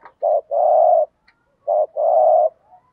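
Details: Spotted dove lure call in the 'thúc gù' cooing style, meant to provoke wild males. Two low phrases, each a brief hoot and then a drawn-out, even coo, with a quiet gap between them.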